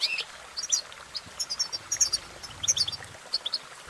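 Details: Goldfinch singing in quick, uneven bursts of bright chirps and short twitters, with a few sharper high notes rising above the rest and a soft low background rumble.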